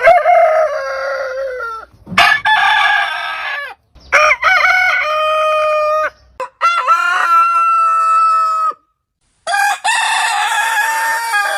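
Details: Back-to-back rooster crows cut together from many heritage chicken breeds. Five harsh, harmonic crows, each one to two seconds long and mostly falling at the end. Short gaps separate them, with a faint low hum in places.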